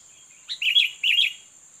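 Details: Two loud, liquid, wavering whistled notes from a sooty-headed bulbul lured by a challenger during bird-trapping, the second note slightly longer, with a faint thin note first.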